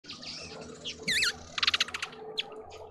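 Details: Mousebirds at a feeder in a suburban garden in Pretoria, South Africa: a loud wavering whistled note, then a rapid buzzy chatter of pulses, with softer twitters behind.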